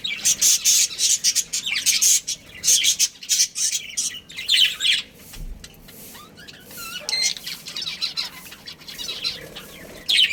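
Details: Pet budgerigar family colony chirping: loud clustered high tweets and squawks, softer warbling with a few whistled notes in the middle, then louder chirps return at the end.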